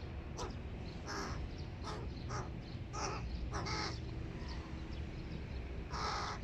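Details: Short, harsh crow calls from a hooded crow family feeding big chicks at breakfast. Brief, scattered rasps come at uneven intervals, with a louder cry near the end, over a low rumble.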